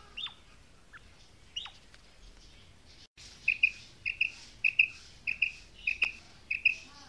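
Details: Female quail calling: after a few thin descending whistles from other birds, a steady series of short, sharp high notes repeats roughly every half second.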